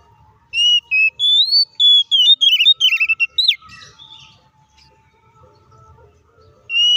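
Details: Fighting song of a White-rumped shama, played to provoke rival shamas: several pure whistled notes, then a hurried tumble of twisting, trilled phrases; faint low hum and a steady background tone underneath.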